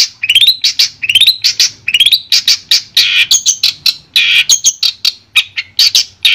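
A Long-tailed shrike sings a fast, loud string of harsh chattering notes mixed with rising whistled phrases and scratchy mimicry, high-pitched and almost continuous.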